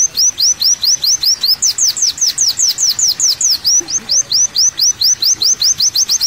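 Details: Olive-backed sunbird, kolibri wulung, giving a tutor-recording song of regular sharp upslurred whistles, about two and a half per second, with a short burst of higher, quicker notes midway.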